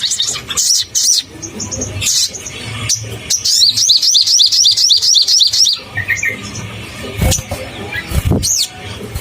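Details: Crimson sunbird in full song to excite caged birds: a busy mix of sharp high chips building into a quick regular string of bright, curved notes about four per second, then sparse squeaks and soft thumps.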